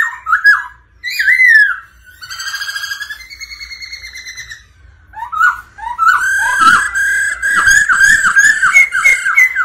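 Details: Black-throated laughingthrush singing and displaying, with female-like rolling "ro ro" calls meant to stimulate males: loud, rich whistled phrases slurring up and down, breaking into fast repeated notes, with harsher rolling calls mixed in.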